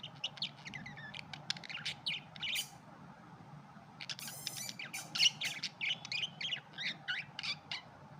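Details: Red-eyed budgies giving busy, irregular chirps and short buzzy bursts, with a louder rasping flurry midway, several birds chattering over a faint low hum.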